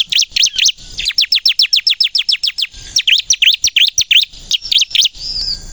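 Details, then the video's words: Bar-winged prinia, called ciblek kristal, in rapid gacor nembak song played to lure and provoke other prinias: a swift run of high descending chips, then jerky V-shaped notes and a thin wavering whistle at the end. "suara burung ciblek kristal gacor nembak untuk pikat pancingan ciblek bahan agar bunyi"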